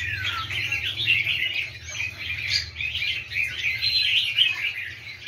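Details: Caged red-whiskered bulbuls, freshly trapped from the wild and numerous, pour out busy high chirping and quick whistled notes that overlap without pause over a steady low background hum.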